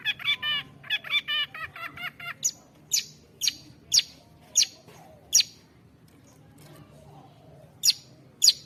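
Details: Long-tailed shrike song opening with a quick stuttering series of rich warbled notes, then shifting to single loud sharp high calls spaced about half a second apart, ending after a short pause.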